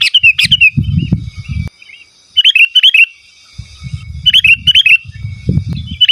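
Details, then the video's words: Sooty-headed bulbul singing lively, used to call rival and wild birds in forest and as a song tutor for caged birds: quick bubbly phrases of rising and falling whistled notes, repeated several times over a low rumbling background. "Suara Burung KUTILANG GACOR Asli Tanpa ISIAN Ampun Untuk Suara Panggilan dan Masteran"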